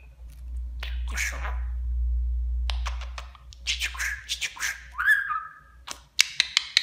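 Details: Pet budgerigar mimicking Turkish speech; a steady low hum fills the opening seconds, then chattering clicks and rapid buzzy syllables, one brief whistled slur, and a string of sharp ticks at the end.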